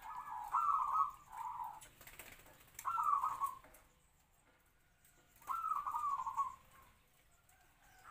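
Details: Zebra dove used as a trapping decoy, medium-voiced and captive-bred for about three to four years; three separate rolling kwor-kwor coo phrases with quiet pauses between them.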